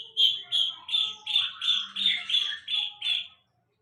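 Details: A bird repeats one bright whistled note about nine times, roughly three per second, in an even steady series before stopping; the background is otherwise quiet.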